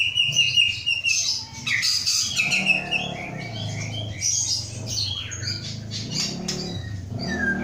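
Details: White-rumped shama, an Aceh-strain captive male hatched in 2012, pours out a rich mix of whistles, rapid chips and descending slurs over a low background hum.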